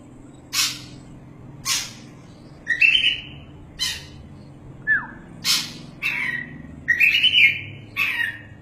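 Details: Oriental magpie-robin, a caged champion kept for tutoring songbirds, mixing harsh rasping bursts roughly every second with short whistled and buzzy phrases, over a noisy background hum.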